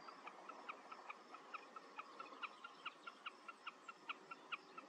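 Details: Wilson's snipe song: a faint, steady run of short, clipped notes, about two a second, over a hissy background with other faint bird chirps.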